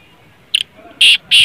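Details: Black francolin call meant to get a francolin calling: one short grating note followed by two longer, loud, harsh rasping bursts.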